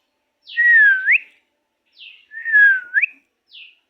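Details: A common myna in Singra, Natore district, gives two clear whistled phrases, each dipping low and then sweeping sharply upward, with short high descending notes before and after. No other sounds.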